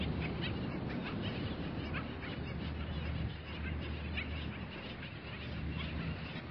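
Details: Skimmers calling at dawn in a beach bird sanctuary: many short, clipped barking notes overlap in a loose, continuous chorus, partly masked by a steady low rumbling background.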